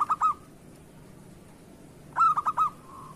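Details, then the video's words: Local zebra dove, a lively singer kept as a lure bird, gives two bursts of rapid, stuttering cooing notes with short trailing hums, separated by a quiet pause. "Perkutut lokal gacor cocok untuk pancingan"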